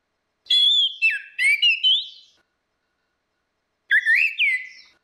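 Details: Orange-headed thrush, a female and a male, used as a lure: loud whistled phrases of slurred notes sliding between low and high, two bursts separated by a pause, on a silent background.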